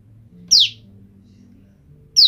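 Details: Female olive-backed tailorbird separated from her male partner, calling to her mate over and over: two sharp, high, quickly falling notes about 1.7 seconds apart over a faint low hum.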